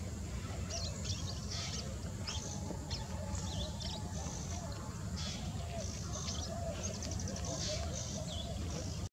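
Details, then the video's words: Male ashy or brown-rumped minivet at GKVK Campus: high, thin metallic notes and short jingling trills repeated through the clip over a steady low rumble of wind or distant traffic. "Ashy/Brown rumped Minivet"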